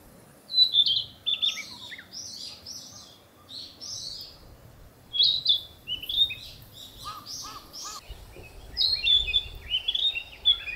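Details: Territorial song of a Narcissus flycatcher in a leafy breeding forest: varied whistled and buzzy phrases in several bursts, with a few lower, evenly spaced notes midway.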